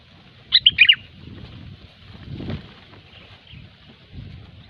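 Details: Sooty-headed bulbul, gecor style used as a lure: one quick bubbly phrase of four descending notes early on, followed by faint distant chirps and low background noise.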